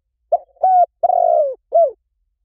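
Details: Spotted dove decoy call, meant to bring doves in fast in any forest. A single mellow phrase: a brief coo with a soft echo, a steady hoot, a long vibrating coo that drops at its end, and a final falling note. Quiet background.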